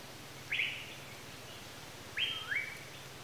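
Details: Asian paradise flycatcher producing two harsh, rasping calls, the second a double note stepping down in pitch, with a low steady hum underneath.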